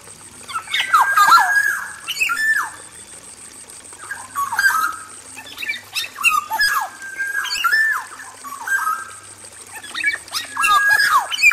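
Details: Male black-naped oriole, kept in an aviary, sings repeated phrases of mellow whistles with downward slurs and scratchy accents, about six bouts spaced a second or two apart.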